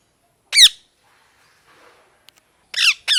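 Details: Parrot giving a few sharp, harmonic-rich descending squawks: one near the start, then two quick ones close together at the end, with near silence between.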